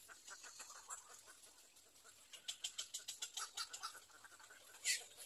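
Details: Baby little egret in the nest, nest three: quiet scattered ticks, then a quick run of evenly spaced clicking pulses, ending in one louder sharp note.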